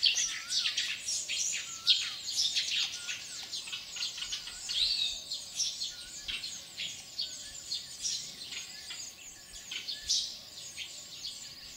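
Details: Eurasian tree sparrows at a nest on a building wall, Kinta Nature Park, Perak, Malaysia, on 25 March 2015 at about 09:45, chatter in a dense, continuous stream of sharp, high chirps, about two a second, overlapping as several birds call together.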